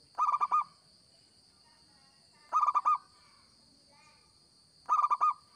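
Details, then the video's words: Local zebra dove singing vigorously, recording suited to luring: three tight bursts of fast, bubbling coos spaced about two and a half seconds apart, with faint chatter of other birds and a steady high tone. "Perkutut Lokal Gacor‼️Cocok Buat Pikat BUNYI"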